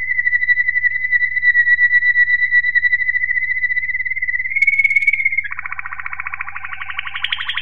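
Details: Waterslager Malinois canary song from 2018: a long even whistle lasting about five seconds, rising briefly, then shifting into a dense pulsing rolled trill that climbs in pitch, low hum underneath.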